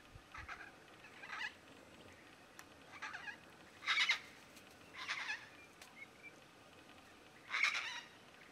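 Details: A pair of Major Mitchell's (Pink) Cockatoos feeding on Aleppo pine cones in the Mallee; harsh, grating, quavering calls, about six bursts in eight seconds at uneven intervals, with a fainter, softer call between them.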